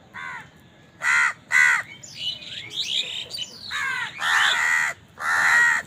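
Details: House crows at food: harsh caws, a burst of overlapping squabbling calls in the middle, then longer drawn-out caws.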